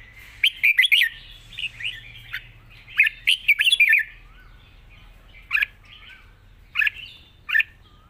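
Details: Long flourished song of a red-whiskered bulbul that sings easily: fast clusters of liquid, warbling whistled notes, then spaced single chirpy notes recurring about once a second, against soft background chatter.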